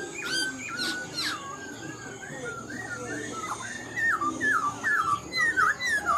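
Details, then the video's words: Old wild-caught Black-throated laughingthrush in captivity, said to have a fine voice: drawn-out whistled phrases that build into a series of sharp falling and looping whistles, growing louder toward the end. "Khướu bạc má mộc dở chim già rừng, hót tốt giọng hay"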